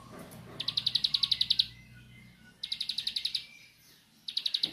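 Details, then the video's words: Bar-winged prinia, known locally as ciblek sawah, singing in nembak style: three short, fast bursts of sharp high chips separated by quiet gaps holding faint thin whistles and low background hum. "Ciblek Sawah Nembak"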